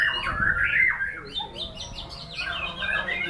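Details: Energetic white-rumped shama song with quickly repeated, slurred whistles and scratchy chatter, some notes sweeping upward, over a quiet low hum.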